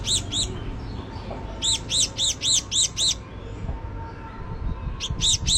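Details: Java sparrow uttering high, ringing chip notes in bursts: two at the start, a run of six, then a pause before three more, with a low noisy background throughout.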